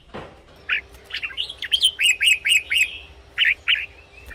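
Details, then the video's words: Red-whiskered bulbul singing, for use with caged birds. Scattered chirps build into a rhythmic series of about six bright, bouncing notes, then two trailing chirps, over a soft background hum. "เสียงนกกรงหัวจุก สำหรับต่อ หรือ เปิดให้นกคึก เสียงเพราะๆ"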